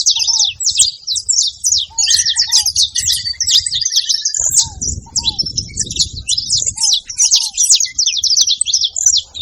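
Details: A group of saffron finches noisy at a feeding site: steady high-pitched chirping from many birds, a lower buzzy trill running for a couple of seconds, and scattered short curved whistles.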